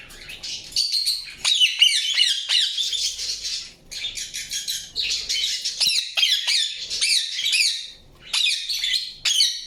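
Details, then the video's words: Indian ringneck parakeet squawking and chirping almost continuously: grating, rapid note clusters with short breaks, including a few sharp high chips. "PARROT CHIRPING SOUNDS | PARROT | PARROT NATURAL SOUNDS"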